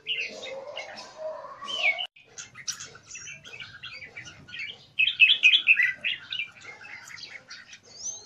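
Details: Red-whiskered bulbul kept in Thailand singing a run of quick, chattering warbled notes, loudest in a bubbly burst near the middle, with a lower sound under the first two seconds.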